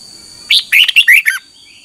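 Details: Red-whiskered bulbul morning song used for training caged birds: a short burst of five loud, clear warbled notes, rich and slightly slurred, with a steady faint electronic whine throughout.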